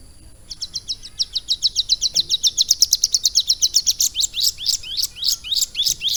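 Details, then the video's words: Caged mountain prinia, trained about three months to sing lovebird-style song: a long fast series of sharp high chirps, accelerating and rising toward the end, repeated several times a second over a faint steady background hiss. "CIBLEK GUNUNG GACOR ISIAN LOVE BIRD"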